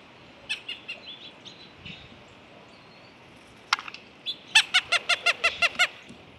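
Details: A Blue Jay imitates a Cooper's hawk at a feeder, giving a series of calls before landing: a few soft notes lead into a quick run of about eight harsh, nasal 'kek' notes, roughly six per second. It may be warning or tricking other birds.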